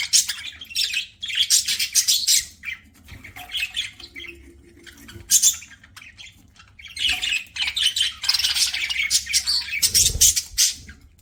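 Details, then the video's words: Eating pet budgerigar in bursts of fast, grating chirps and clicks, loud and high, with short quiet gaps between runs and a low thud near the end. "PARAKEET EATING SOUNDS"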